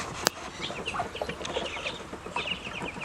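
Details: Hungry growing ducklings keep up rapid high, slurred peeps from several birds, with a sharp click near the start and soft low background noise throughout.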